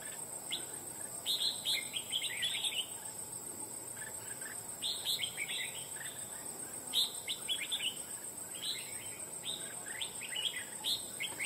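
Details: Wild red-whiskered bulbul recently trapped for fighting, singing a loud voice in repeated short bursts of bright, jumbled chirping notes roughly every one to two seconds, with a constant high insect whine behind.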